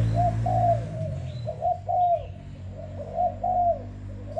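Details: A young, selected Malaysian spotted dove, caged only about five days and already singing strongly, gives soft, hollow coos in short two- and three-note phrases, repeated about every second and a half over a low background hum.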